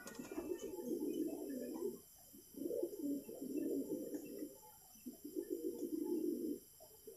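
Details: Fancy pigeon in a hobbyist's loft in Purwokerto, Indonesia, gives low, rolling, throaty coos in three long bouts of about two seconds each, separated by short pauses, with faint background noise.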